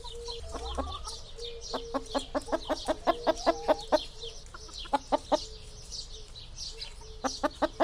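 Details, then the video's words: Chicken giving a series of soft, short clucks, about two or three a second, fading and resuming, with faint high chirps of other birds throughout. "Chicken Sound, Hen Sound"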